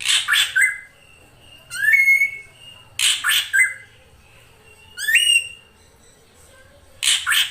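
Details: Female drongo lure calls: loud, grating, buzzy double squawks alternate with steeply rising whistled notes, in a mixed sequence of rough and clear sounds.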